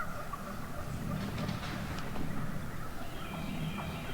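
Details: Morning chatter of wild turkey hens in a big flock, softer here: scattered short yelps and clucks over a low droning background in the woods.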